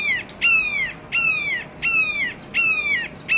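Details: Red-shouldered Hawk calling, a call used in breeding season or territory defence; loud, harmonic, downslurred screams repeated about every 0.7 seconds, five in a row, clear against a quiet background.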